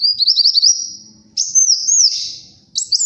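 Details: Olive-backed sunbird in full song, played for luring and tutoring birds: a fast trill of high looping notes, then a longer sliding whistled phrase with a buzzy ending, and a final short high flourish.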